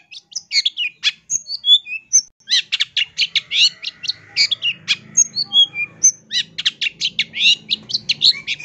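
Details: Long-tailed shrike singing loudly, recorded for training birds: an unbroken, varied stream of high chips, short whistles and scratchy trills, with a faint low murmur in the background.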